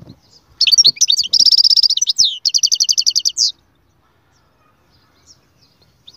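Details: Canary delivering a burst of song: jumbled chirps lead into a dense rapid rattle, then a clean trill of evenly spaced notes, followed by near silence.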